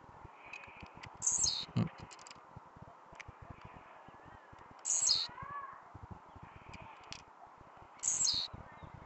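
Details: Blue-black grassquit singing at night, very agitated and singing nonstop: three short, buzzy, high-pitched bursts, each about half a second, repeated roughly every three and a half seconds over low background noise and faint clicks.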